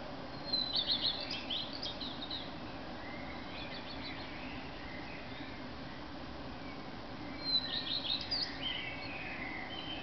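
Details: Male common redstart singing at 4:15 in the early morning in Berlin on 10 May 2010: two short high phrases of quick repeated notes, each followed by a jingling twitter, with a long pause between them and lower blackbird song and steady background hum.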